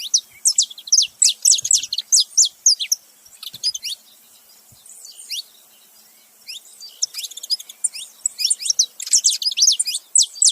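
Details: Saffron finch, male and female together, making noise: dense bursts of high, sharp chirps and descending metallic notes, rapid and uneven, with a quieter pause in the middle before the chattering resumes.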